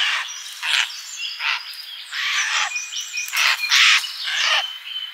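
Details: Birds around a feeder in a summer garden produce rapid, jumbled chirps and scratchy notes, with thin high whistles threaded through the chatter.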